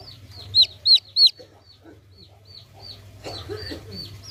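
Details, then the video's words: Three loud, sharp, high chick peeps in a row open the recording, followed by softer, scattered cheeps from other chicks over a low electrical hum. "hewan suara lucu anak ayam"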